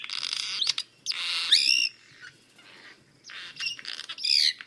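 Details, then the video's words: Swallow singing, a bird of Russia: quick bursts of bright, high twittering chirps with rising, warbled notes, broken by short pauses, over a quiet background. "Ласточка. Голоса птиц Росии"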